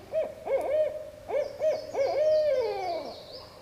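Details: A barred owl, still calling first thing in the morning in the woods at Land Between the Lakes, gives a quick run of deep, rounded hoots ending in a long, sliding, downward 'all'. A thin high whistle sounds faintly above.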